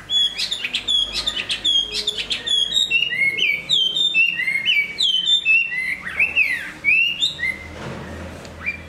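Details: Varied, energetic song of a large Chinese hwamei said to sing and fight well while completing new plumage: bright whistles, quick upslurred and downslurred notes, and rapid trills packed densely for nearly nine seconds.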